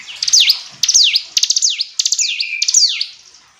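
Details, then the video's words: Clear, rapid hill prinia song: repeated high ticking bursts each finishing in a sharp descending whistle, one phrase carrying a short level trill underneath. "Ciblek gunung istimewa, hitungan detik dijamin langsung bunyi ‼️ jernih"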